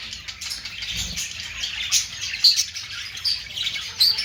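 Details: Chattering budgerigars make a continuous wash of chirps, with a few clear whistled squeaks standing out toward the end.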